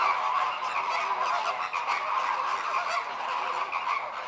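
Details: Group courtship display of American flamingos, birds turning heads in parallel and opening wings to synchronize breeding; steady overlapping honks from many flamingos form a loud, unbroken nasal chorus, with slight dips in volume midway.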